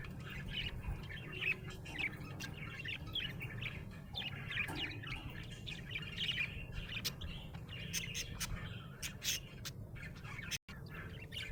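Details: Happy budgerigar warbling and chirping nonstop, a mix of scratchy chatter and sharp clicking notes, with a brief cut near the end.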